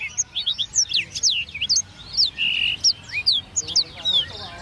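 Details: Contest-class blackthroat in a cage pours out a varied song of bright whistled slurs, chirps and a brief rattling trill, with low murmuring in the background.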